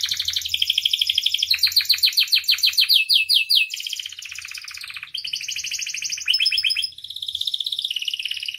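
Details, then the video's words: Gacor canary song packed with isian phrases, a masteran and pancingan recording: unbroken rapid trills and rattling rolls that switch pitch and texture every second or two, some buzzy and high, others lower and chattering. "MASTERAN DAN PANCINGAN KENARI GACOR FULL ISIAN"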